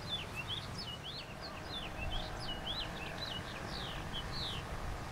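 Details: House finch singing while perched on an arch of climbing roses in a rose garden at Hermann Park, Houston, Texas, USA: a continuous jumbled warble of quick high sweeping notes over steady background rumble.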